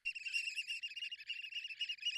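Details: American oystercatcher alarm call, a shrill, rapid stream of high piping notes running together for about two seconds; it was played near nests on Virginia barrier islands to lure territorial breeding birds into traps.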